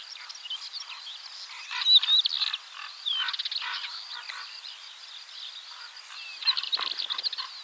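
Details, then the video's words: Northern wheatear giving scratchy, chattering song phrases in bursts, with a few thin whistled notes and a rattling passage, against a hissy background. "Northern wheatear call and song / Białorzytka"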